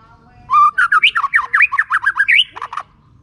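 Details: A white-rumped shama sings a clear, open 'ngeplong' lure song to coax silent shamas. It is a dense, continuous phrase of zigzagging whistles jumping up and down in pitch, closing with a few quick lower notes.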